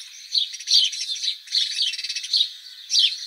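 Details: A house sparrow (Passer domesticus), a city sparrow, gives bright, chirpy cheeps in quick bursts, with a short trill of rapid notes in the middle; nothing else is heard.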